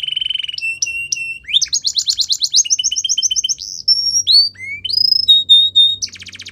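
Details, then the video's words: Belgian canary training song opening with a steady buzzy tone, then paired chips, a fast rolling trill, evenly repeated double notes, clear whistles and a quick rattle at the end; faint low hum underneath. "Belgian Canary | The Best Canary Training Song"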